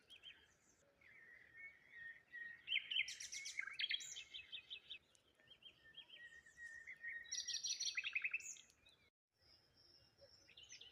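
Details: Several birds chirping cheerfully on a morning by the water near a lone tree and rose hips; busy overlapping high twittering phrases and short trills, loudest in bursts around the middle and again near the end, with a brief gap of quiet.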